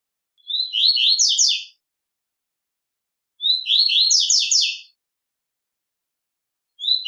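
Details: Double-collared seedeater (coleiro) singing the 'tui tui' style of song, used for training birds: a repeated trill-like phrase of fast descending buzzy notes, about 1.3 seconds long, repeated every three seconds, with clean silence between phrases.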